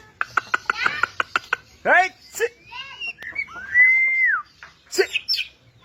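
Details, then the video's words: White-rumped shama song with quick clicking notes, swooping whistles and a long, clear, arched whistle, ending in sharp high chips. "MURAI BATU GACOR ! NEMBAK ABIS BIKIN EMOSI"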